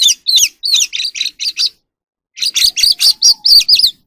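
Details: An oriental magpie-robin from the wild sings in the evening while dancing. Two bursts of rapid, rich whistled notes, each around a dozen strong, are split by a two-second pause, with faint low taps.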